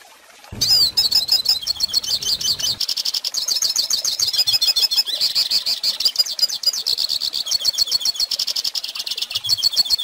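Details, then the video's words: Tutor recording of a hooded siskin for young birds learning song. After a soft start it bursts into a long, unbroken stream of fast, high chattering and twittering notes with sweeping trills, steady and loud throughout. "Pintassilgo Cantando Ensine Filhotes!!!"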